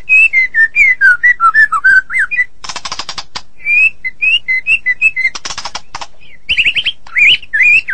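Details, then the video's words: Morning song of a White-rumped shama: a fluid series of clear whistled notes wavering up and down, broken by loud rattling, machine-like bursts, then more looping whistles. "Nghe chim chích chòe lửa hót hay mỗi sáng"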